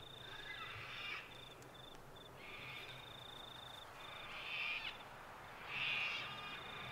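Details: At Mt Coot-tha, Brisbane, Queensland, on 6 November 2022, sulphur-crested cockatoos give four harsh, raspy screeches about every one and a half seconds, over a thin, steady high-pitched whine.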